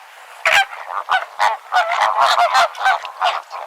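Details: Flamingo calls, presented as a realistic sound effect: a flock's nasal, goose-like honks overlapping in rapid irregular bursts, several birds calling together against steady background noise.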